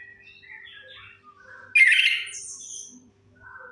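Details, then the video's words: Lure recording of an orange-headed thrush: soft, scattered high whistles and twitters, then a burst of dense, squeaky, chattering notes and a high thin hiss, meant to make silent birds start singing. "Suara pancingan AMPUH 100% untuk Anis Kembang Macet Bunyi"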